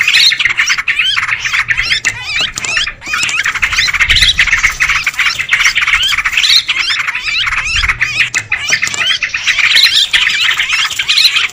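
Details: Lure recording of excited sooty-headed bulbuls, with an unbroken mass of overlapping squawks, chirps and warbles from many birds and occasional low thuds.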